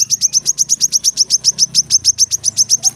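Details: Brown-throated sunbird song for training kept birds: a fast, even string of piercing high chirps, around seven per second, steady throughout with faint low background hum.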